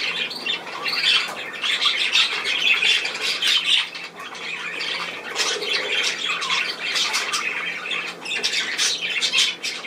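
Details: Budgerigars on 10 June 2024 chatter without pause, a blended stream of twittering warbles and harsh squawks from many voices, with brief louder peaks.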